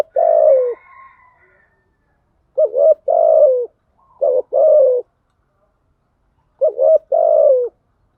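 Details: Decoy spotted dove, a female lure bird, repeating low mellow coos: a long coo opens, then three phrases of two clipped notes followed by a sustained downward-sliding coo, with silent gaps between.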